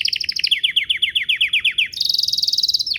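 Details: Canary lure phrase to make other canaries answer: a quick run of repeated chirps, about seven per second, shifting into a higher, faster rattling trill.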